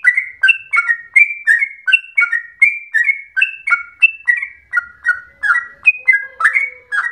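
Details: Energetic extended song of the trucukan, or yellow-vented bulbul, said to resemble straw-headed bulbul; fast sequence of bubbling two-part whistles, high then lower, about three per second, with a faint steady low hum near the end.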